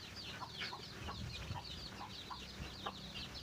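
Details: Chicken with its chicks while finding food for them: dense, high-pitched peeping from the chicks throughout, broken by several brief mid-pitched hen clucks.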